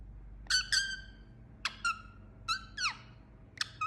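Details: Indian ringneck parakeet calling: five bursts of short, harsh, harmonic squawks, several in close pairs, each bending up then dropping. The calls stand out over a low, steady background hum.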